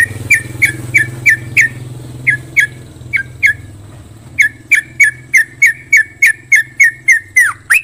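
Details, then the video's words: Yellow-vented bulbul uttering short, sharp chirps spaced evenly about three per second, with a brief break midway, over a steady low droning hum, finishing on a downward-sliding note. "KICAU TRUCUK DJAWARA BIKIN KETAGIHAN"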